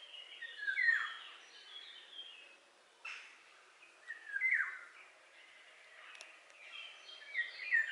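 Eurasian golden oriole giving short fluty, liquid whistled phrases every few seconds, sliding downward, over a busy background of other birds' twittering and faint rural noise.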